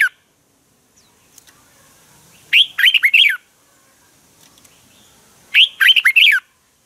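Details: Red-whiskered bulbul morning fighting song for training birds: two loud, bubbly phrases of several slurred whistled notes, about three seconds apart, in an otherwise quiet background.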